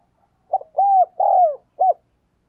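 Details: Decoy spotted dove cooing to lure wild doves: one short phrase of four low mellow notes, a brief coo, two longer drawn-out coos, and a final short note, in a quiet setting.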